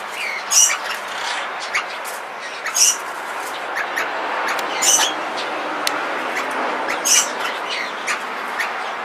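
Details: A Yellow rosella (Platycercus elegans flaveolus), one of a pair in an aviary, gives sharp, high chirping bursts about every two seconds over a steady background hiss.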